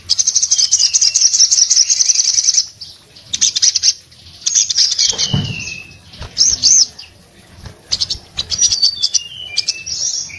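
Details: Orange-headed thrush in breeding condition singing with open beak, its song said to make other orange-headed thrushes sing. Long high trill with a descending whistle, then scattered chips, looping whistled notes and a low thud.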